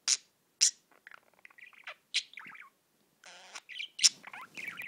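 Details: Singing pet budgie gives sharp high squeaks between soft, scratchy chatter and short warbled phrases, with a buzzy grating burst midway.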